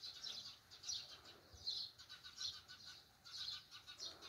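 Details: Rural morning sparrow chatter: clusters of thin, high chirps coming in loose, irregular bursts over a quiet hiss of open air.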